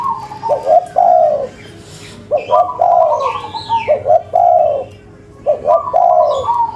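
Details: Local tekukur, the spotted dove, calling energetically in the cetrekan pattern to provoke an answer within five seconds: stuttered short notes then a long falling coo, four phrases, with faint chirps of another bird in the background.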